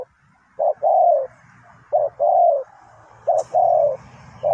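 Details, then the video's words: Decoy spotted dove for trapping repeats its coo about three times, each a clipped opening note and then a longer falling croon, over a faint low background hum. "The Sound Of Spotted Dove"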